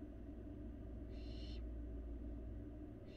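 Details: In a Florida nest box, a feeding barn owl fledgling gives one soft, breathy hissing screech lasting about half a second, the start of another cut off at the end, over a dense low drone.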